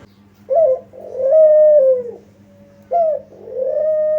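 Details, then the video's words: Spotted dove lure call from an actively calling bird, meant to prompt answers. A short, sharp opening note leads into a sustained mellow coo that dips at its end. A second phrase begins, over a low background hum. "pancingan ampuh gacor burung kuter di jamin nyaut"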